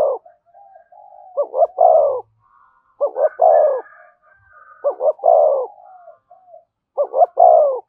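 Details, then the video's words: Spotted dove singing in the styles known as giọng thổ, thúc and kèm: four deep, repeated coo phrases about two seconds apart, each two short stuttering notes followed by a fuller descending coo, with faint soft notes in the gaps. "tiếng cu gáy giọng thổ thúc và kèm hay nhất"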